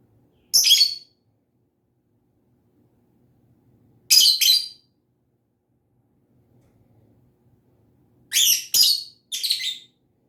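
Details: Lovebird chirping in spaced bursts: a harsh chirp, another about three and a half seconds later, then three rapid shrill chirps close together near the end.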